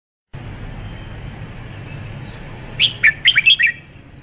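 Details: Red-whiskered bulbul giving one quick phrase of about six bright whistled notes, slurring up and down, near the end after a stretch of steady low background hiss.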